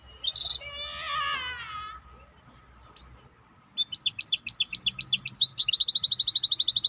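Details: Maestro bird singing: a high burst, then a wavering series of buzzy notes, a pause, and rapid high chopped phrases ending in a fast, even trill.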